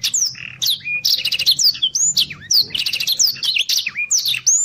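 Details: A Black-throated Canary (Crithagra atrogularis) sings a fast, unbroken, high-pitched song of sweet whistles, rising and falling slurs and rapid chattering trills, with a faint low hum behind.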